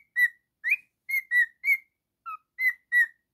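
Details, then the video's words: A male pet cockatiel singing and whistling: eight short, clear whistled notes with a bright ringing tone, some rising and some falling, each separated by brief pauses, in a quiet indoor setting. "Cockatiel singing and whistling"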